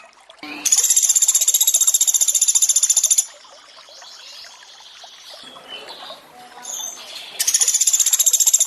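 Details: 'Tembakan' rattles of a Sunda pygmy woodpecker in a training recording with added water sound: a sharp, high trill of rapid pulses for two and a half seconds, a pause with flowing water, then another trill begins.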